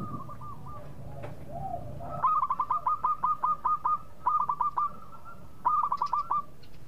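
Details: Local zebra dove, a breeding bird singing freely, used as a lure so rival birds answer quickly: after a low rumble, clear stuttering cooing notes run in quick beaded series, repeated three times.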